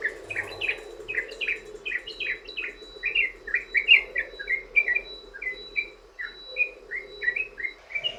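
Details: Long rapid 'ropel panjang' song of a sooty-headed bulbul, played as a lure for other bulbuls: a continuous stream of bright, slurred chirps at a fast pace, with a faint steady tone and low murmur underneath.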